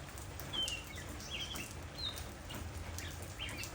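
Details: Oriental magpie-robin in rainy-season Chiang Mai giving brief bright whistled notes, sliding downward, about every 1.5 seconds, half buried under constant pattering rain.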